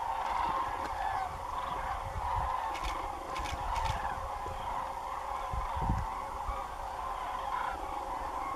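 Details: At day's end a large common crane flock flies above farmland by Doñana National Park, giving a continuous mass of trumpeting calls with a few louder individual notes standing out and low background noise.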